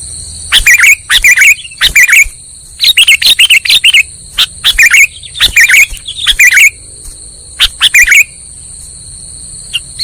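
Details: Sooty-headed bulbul trapping lure: bursts of two to four loud, sharp chirps repeated through the recording with short gaps between them, over a steady high whine.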